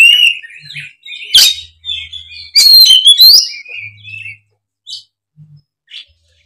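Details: Loud Oriental magpie-robin song used as a lure to prompt a listless speckled bird; warbled whistles and a sharp chattering flurry, fading into a few isolated notes near the end, with faint hum.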